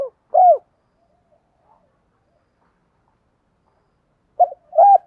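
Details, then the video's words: Spotted dove in the thổ voice style, from a recording of fight-provoking challenge calls and calling song. Isolated short, hooked, rising-and-falling coos sound at the start and again after four seconds of near silence. "cu gáy giọng thổ pha thúc đấu + gáy gọi, tiếng thúc đấu rút bổi căng đét"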